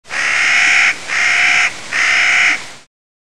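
Clark's nutcracker gives three harsh, grating, drawn-out 'kraaa' calls, each under a second, spaced almost back to back; nothing else is heard.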